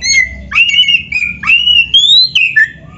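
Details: Full-voiced Oriental magpie-robin song, the loud varied gacor isian style: a string of sweet whistles that swoop up, then hold or slide down, closing on a drooping note.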